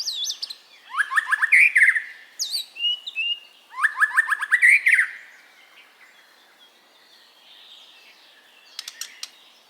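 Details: White-rumped shama singing, played to prompt caged birds to sing: two rich phrases of rapid rising chirps and slurred whistles, then quieter warbling and a few sharp ticks.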